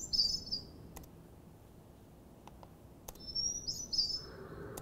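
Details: Hermit thrush (Catharus guttatus) song: two high, thin, flutey phrases about three seconds apart, each a held note breaking into a quick shimmer, over faint clicks and a low hum.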